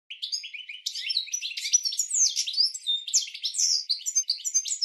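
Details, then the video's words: European goldfinch training song meant for cage birds, an unbroken, busy warble of sharp chips, nasal buzzes and swooping whistles delivered at high speed for nearly five seconds. "Goldfinch 12h Training Song"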